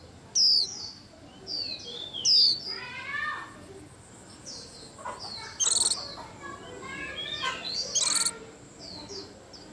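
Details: White-eye song amid a lively chorus that stirs up the whole aviary: sharp high descending whistles, quick chirps and twittering phrases from several birds overlapping throughout.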